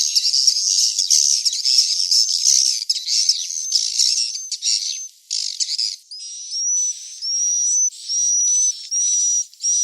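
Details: Swiftlet chick calls for luring swiftlets to roost: busy, scratchy, high chattering buzz at first, then separate hissing notes, each ending in a short upslurred whistle.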